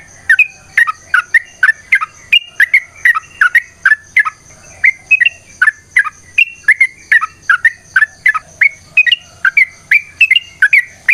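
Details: Long, vigorous fighting song of a sooty-headed bulbul, used as a lure to draw replies from other bulbuls: a continuous run of quick, liquid chirped notes, three to four per second, with a thin constant high tone behind.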